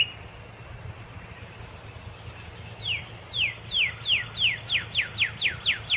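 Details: After a faint held whistle, a red cardinal starts a quickening series of sharp downslurred whistles, each sweeping high to low, about four per second to the end.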